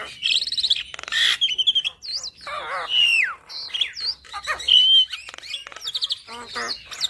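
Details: Mixed, varied song of a Javan myna, a tutor recording for caged birds: clicks, sharp whistled notes, downward-sliding buzzy phrases and scratchy chatter, loud and continuous.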